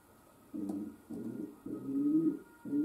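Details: Domestic pigeon kept as a pet giving three full deep, burbling coos and the start of a fourth, each about half a second long with brief gaps, over a steady electrical humming noise from the camera.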